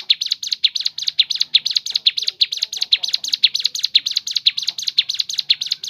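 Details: High, thin, rapidly repeated chirping song from a crescent-chested babbler, an even chattering rhythm sustained for about six seconds over a quiet background.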